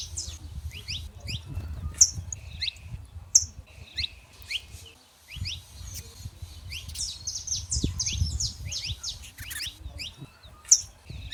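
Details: Free-living saffron finches in the wild: a busy chorus of quick rising chirps and twitters from several birds, with occasional piercing accented notes. A brief lull comes near the middle, and low wind-like rumble runs throughout.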